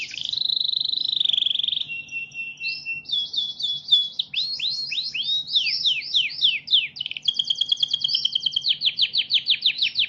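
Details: Canary song played to train other birds to sing: a long held whistle, then a lower steady tone, giving way to rapid rising and falling chirps, buzzy rattling trills and quick repeated notes, with a faint low hum beneath.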